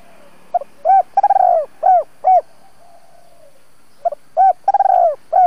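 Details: Lure spotted dove used for trapping in Vietnam, 'double voice' style, giving two coo phrases a few seconds apart. Each has short clicks, hollow coos and a long rolled, stuttering middle note, with a faint distant coo between them.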